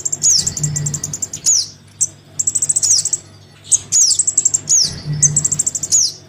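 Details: Crimson sunbird chick begging for a parent, used to draw sunbirds down: rapid high ticking trills alternating with sharp falling squeals, in repeated bursts, over a low droning hum.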